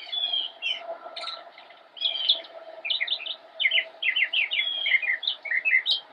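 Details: Northern mockingbird, an immature bird singing from a bush in Cabarrus County, North Carolina, United States, on 10-10-2016, delivers a dense, tumbling stream of varied high chirps and twittering notes.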